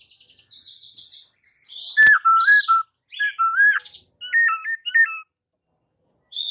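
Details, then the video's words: White-rumped shama song used to provoke rival birds: clear whistled phrases with short stepped notes, some warbled trills, delivered in bursts separated by brief pauses. "PANCINGAN Murai Batu yang bikin lawan Langsung NGAMUK & EMOSI TINGGI seketika"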